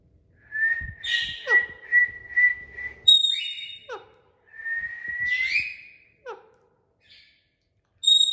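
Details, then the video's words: Talking parrots making natural sounds: clear whistled notes, including a long steady whistle that rises at the end, heard twice, broken by short sharp falling chirps and a few high squeaky notes. "Talking parrots making natural sounds"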